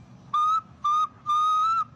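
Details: Parrot from Maranhão, Brazil, imitating the songs of other birds: three pure, steady whistled notes, long, short, then longest, each flat and clear with short silent gaps between.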